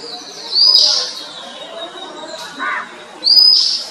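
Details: An Oriental magpie-robin in Sri Lanka gives two bright, high, rising whistled phrases about three seconds apart, with a soft lower note between them.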